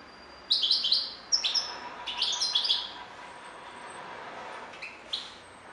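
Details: European goldfinch singing: short bursts of high, tinkling twitters and chirps separated by pauses, fading into soft background hiss.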